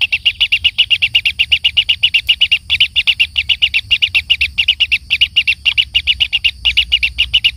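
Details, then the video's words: Young kingfisher begging as its parent feeds it, a steady stream of rapid, shrill, scratchy high notes repeated several times per second without pause. "anak burung tengkehk diberi makan induknya"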